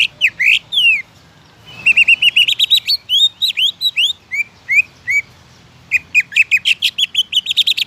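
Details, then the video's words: Greater green leafbird in song, used to set other leafbirds singing: a few loud whistles, a quick trilled run of rising notes, spaced downslurred whistles, then a dense, fast chatter. "PANCINGAN CUCAK IJO AGAR CUCAK IJO LAIN CEPAT GACOR"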